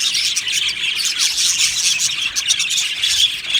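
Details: An aviary full of Australian budgies chirps and chatters continuously, with shrill twittering notes layered thickly and a few harsher squawks mixed in.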